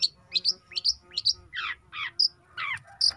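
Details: Young long-tailed shrike in full song: sharp high whistled notes alternate with harsh, descending rasping phrases, delivered in quick uneven bursts about twice a second, with a faint low hum beneath.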